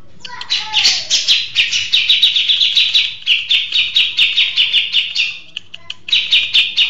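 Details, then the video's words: A grey-cheeked bulbul (cucak jenggot) gives a long, fast, chattering song of bright high notes, about three or four bursts a second, with a brief pause near the end. "Burung Cucak Jenggot Mapan Gacor ( Long Shot Bird Song Cucak Beard )"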